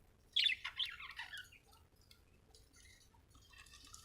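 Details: Budgerigar giving a short burst of sharp, high chattering chirps that fades into faint, scattered twitters.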